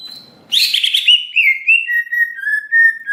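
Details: Greater green leafbird song meant to provoke an emotional response: a harsh, buzzy burst followed by long, clear whistled notes that slowly descend and hold steady.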